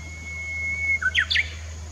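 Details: Japanese bush warbler song at Komatsugaike pond, 16 June 2016: a thin, high, drawn-out whistle, a short lower note, then a rapid, emphatic pair of sweeping notes, set against a faint low hum.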